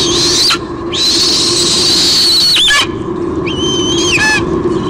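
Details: Female White-bellied sea eagle squealing loudly on the nest as the male delivers a fish, Sydney Olympic Park, Australia, June 2016. Two long, strained, high squeals of about two seconds each are followed by a shorter bending cry, all over low hum.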